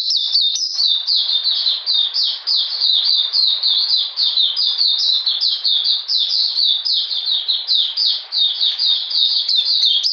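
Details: Oriental magpie-robin in cold, rainy weather, recorded 13 June 2020, pouring out a dense, nonstop stream of bright high chirps and quick slurred notes for the whole stretch.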